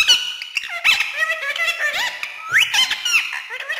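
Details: Pet ringneck parrot talking in Urdu and Hindi: a rapid stream of squeaky, speech-like syllables with gliding, warbling tones and sharp clicks, delivered nonstop without pause.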